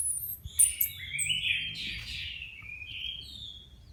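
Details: Caged Orange-headed Thrush, one of four freshly moulted birds with new feathers, placed together for a few minutes to judge readiness for song-contest retraining: a sweeping, slurred high warbling phrase with thin whistles, over low rumbling background noise.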